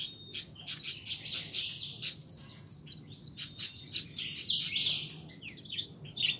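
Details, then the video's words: High, rambling European goldfinch song from a kept pintón bird: buzzy trills blend into sharp chirps and quick tinkling notes, growing louder midway. "Mi jilguero pinton"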